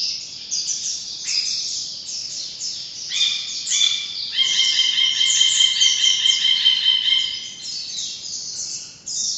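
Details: Ashy bulbul (Hemixos flavala) calling: bright, chattering calls with ringing, slightly nasal notes, several overlapping at a quick, uneven pace of about one or two a second.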